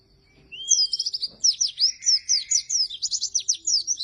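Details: Lively oriental white-eye singing, kept to lure and master-tutor lazy white-eyes; a thin rising whistle opens a dense stream of very high, rapid, sweeping twitters and short trills with a soft lower warble beneath.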